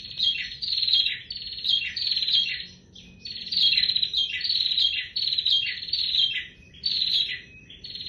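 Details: Bar-winged prinia (prenjak tier) in full voice, delivering short bursts of rapid, buzzy, high-pitched notes, each burst about half a second long, repeated in quick series with brief pauses between them, over a quiet background.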